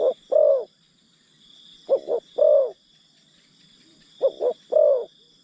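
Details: Decoy spotted dove coaxing wild birds, repeating a phrase of two short notes and a longer descending coo every two seconds or so, with a shrill insect drone throughout.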